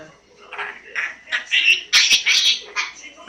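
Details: Pet African grey parrot making noises indoors: a run of harsh, buzzy squawks and chattering calls, several loud bursts in quick succession near the middle, with a person talking to the bird around it.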